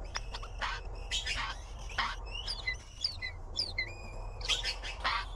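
Blue magpie chicks give harsh, raspy squawks mixed with thin, high squeaky chirps, several bursts in quick succession, over a low background hum.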